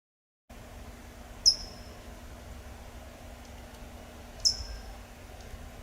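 A California towhee gives two sharp, high, metallic chips about three seconds apart over a low steady hum.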